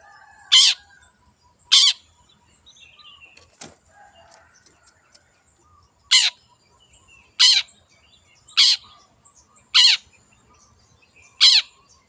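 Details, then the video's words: Long-tailed shrike, wild bird recorded as a lure for songbird keepers: loud, harsh, rasping single notes repeated about every one to one and a half seconds, separated by quiet pauses. "PANCINGAN CENDET GACOR SUARA BURUNG LIARAN"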